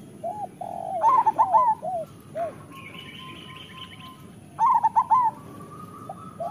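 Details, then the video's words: Local zebra dove song for stirring idle doves into song: low single coos lead into a rapid warbling phrase. A higher thin trill runs in the pause, then another bubbling coo phrase comes, with soft coos around it. "Perkutut lokal gacor Suara Masteran Burung Perkutut Paling Ampuh"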